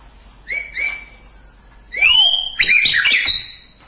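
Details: White-rumped shama giving two clear upslurred whistles, then a loud bright rising-and-falling whistle and a burst of rapid, ringing high notes.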